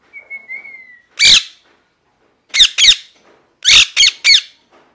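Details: A parrot opens with a soft level whistle, then bursts into loud raspy chirps: a single call, a pair, then a tight triple, with brief silences between.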